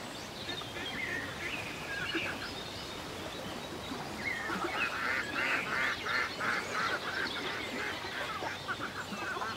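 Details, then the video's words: Quacking of ducks on a lake in the countryside as they glide across the water: a run of rapid, nasal, evenly spaced calls builds midway and then tapers off, over soft constant ambient noise. "A Peaceful Day in the Country with Ducks Ambience"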